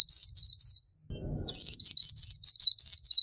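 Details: Black-capped white-eye song used as a training recording: rapid series of high, sharp, downslurred whistles in lively bursts, a brief silent gap with faint low thumping, then a longer fast run of similar notes.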